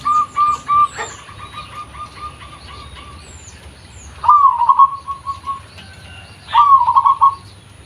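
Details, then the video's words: Local zebra dove, natural voice used as a lure: two clear phrases, each a rising opening note then a quick stuttering run of coos at one steady pitch, several seconds apart, with faint high chirps of other birds behind. "PERKUTUT LOKAL || SUARA ASLI COCOK UNTUK PANCINGAN"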